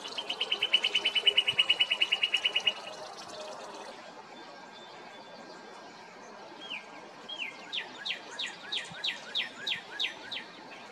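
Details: Male northern cardinal singing from a tree beside a house, where it is heard by day and into the evening, to mark territory or court a mate; a fast trill of even chips, then a series of loud downslurred whistles repeated about three per second.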